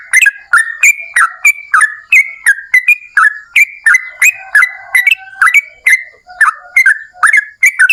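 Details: Continuous ropel panjang song from an actively singing yellow-vented bulbul, intended to provoke other bulbuls to answer: about three bubbly, slurred whistles per second, steady and unbroken.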